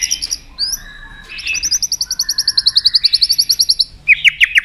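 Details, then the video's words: Murai batu, the white-rumped shama, giving a fast, even trill of high repeated notes lasting a few seconds, bracketed by short whistled phrases and ending with loud burry chips. "Keganasan murai batu diam jadi rajin bunyi kembali"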